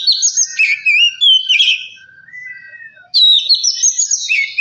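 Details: Oriental magpie-robin delivering a lure song to excite other kacer, with fluty descending whistles and chirps, then a soft drawn-out note and pause before a loud burst of rapid twittering.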